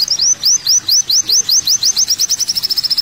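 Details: High-pitched olive-backed sunbird song: a series of clear rising whistled chips, well spaced at first, then speeding into a quick thin trill.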